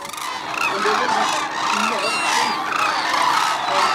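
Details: Hooded and White-naped Cranes crowding Arasaki Crane Center in Kyushu, Japan, in snowy winter scenery; loud, close chorus of many bugling, rising-and-falling calls overlapping without pause.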